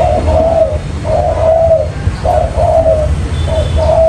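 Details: Spotted dove trapping lure: a few slow, drawn-out mellow coos, each long note slightly falling, separated by short pauses, with deep background rumble.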